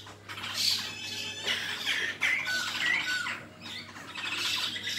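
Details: Black-throated laughingthrush in fighting song, a continuous harsh, squawking chatter rising and falling in loud rasping bursts, with brief thin whistles mixed in and a steady low hum behind.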